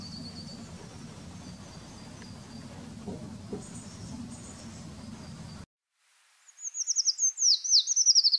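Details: Eurasian treecreeper in the Wittlicher Tal: after several seconds of faint, thin high notes over low rumbling background noise and a short silence, a loud high, thin trilled phrase of rapid notes descends and wavers.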